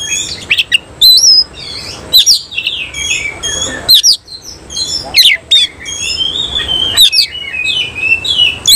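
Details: With its tail spread in ngobra display, a semi cililin oriental magpie-robin sings a nembak song. Phrases of sweeping whistles and harsh clicks are separated by brief pauses, and one long wavering whistle sounds near the middle.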